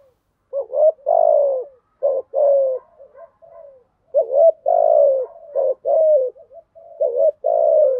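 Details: Spotted dove cooing in the 'giọng thổ' style with 'gù thúc' phrases: low hollow two-part coos, a short clipped note then a longer falling coo, four phrases with soft murmurs between, quiet background.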